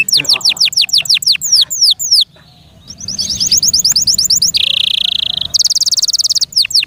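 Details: Pet canary delivering a loud song of rapid descending high sweeps, a pause, then a quick trill, a sustained steady buzzy high note and a very fast high rattle before more sweeps.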